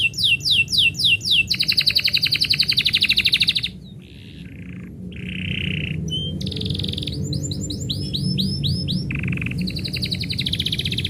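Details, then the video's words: Canary singing when its owner is about to leave: quick rising notes, a long fast trill, a pause, low buzzy rolls, then mixed sweeps and trills, with faint background noise. "kenari bunyi ketika yang punya mau pergi"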